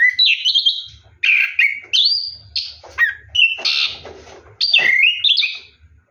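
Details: Ngeroll-style song of an orange-headed thrush bathing at night, with rich slurred whistles that rise and fall, grouped into phrases of about a second with brief breaks.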